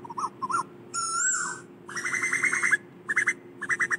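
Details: Asian koel calling the flock, mixing a long, wavering whistle with rapid bubbling runs and paired short notes, against a continuous low hum.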